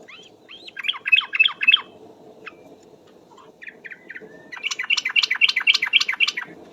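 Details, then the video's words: Yellow-vented bulbul song played as a bird-trapping lure, described as very lively: two bursts of fast, bubbly chattering notes repeated several times a second, separated by a few scattered single notes, over a low steady hum. "suara pikat trucuk ropel..super gacor"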